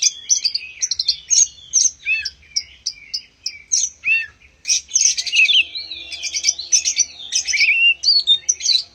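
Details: White-rumped shama song meant to prompt other birds into singing: quick repeated sharp chips and whistles, then a continuous warbled stream of varied, sweeping high notes.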